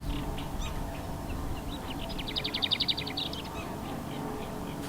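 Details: Lesser whitethroat calling from cover at RSPB Dungeness in June, on a cooler coastal day: a few scattered chips, then a dry, fast rattle of about a dozen high notes on one pitch, lasting just over a second, with a low rumble of wind throughout.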